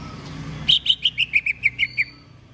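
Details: Greater green leafbird readied to compete in a singing contest pours out about nine loud, evenly paced chipping notes that step gradually down in pitch, ending in a thin high whistle.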